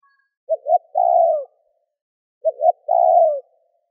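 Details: Spotted dove calling in gù, thúc and gáy gọi styles used to stimulate a decoy bird. Two identical phrases about two seconds apart, each with two quick short notes and then a drawn-out falling coo, in clean quiet surroundings.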